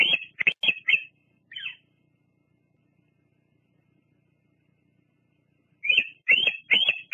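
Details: Bald eagle female visiting the nest at Fraser Point in the evening, 17 July 2022, resting and preening before a live cam: a quick burst of four shrill chattering notes and a falling note, a long silence, then four more piping notes.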